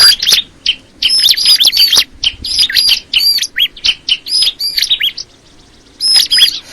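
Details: Crystal ciblek (bar-winged prinia) singing a busy run of sharp high chirps mixed with arched and falling whistled notes, broken by brief gaps, ending in a dense burst of chirps.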